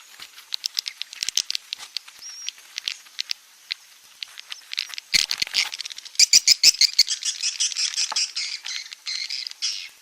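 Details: Edible-nest swiftlet 'outside' sound used around swiftlet houses: a stream of sharp, high clicks and short chirps. It grows into denser buzzy twittering after the midpoint, with rapid ticking bursts.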